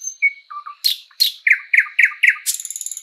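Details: Thrush nightingale, or sprosser, singing in a spring forest: low piping notes, then a run of loud broadband clicks and a rapid series of repeated chock notes, ending in a fast rattling trill.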